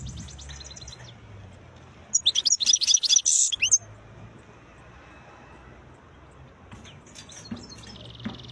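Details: Wild European goldfinch in song: faint high notes, then a loud burst of sharp, buzzy and tinkling twitters lasting about a second and a half, followed by quieter scattered chirps.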